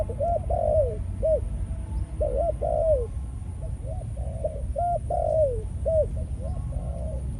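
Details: Male spotted dove of Malaysian stock, a caged decoy bird, cooing in breeding mode after ground feeding. Its soft hooting notes come in quick groups, some ending in a drawn-out falling coo, with constant low background hum.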